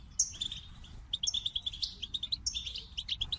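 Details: Softer goldfinch song made of quick repeated high chirps in a rhythmic series, with a few sharper tinkling notes mixed in.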